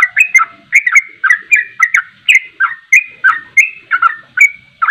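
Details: 'Ropelan' song of a sooty-headed bulbul, used to provoke other birds to sing: a continuous chain of bright, liquid whistled notes, some drawn out and level, others dipping, about three per second.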